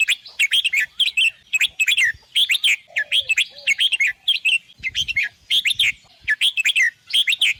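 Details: A red-whiskered bulbul delivers a steady stream of brisk, chirpy whistled phrases, three-to-four-note bursts following one another almost without pause, with a faint lower whistle near the midpoint.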